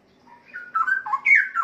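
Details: Caged adult male breeding Straw-headed Bulbul, about three and a half years old, singing again; a rich, loud warbled phrase of liquid whistles, rising and falling, building to a bright ending.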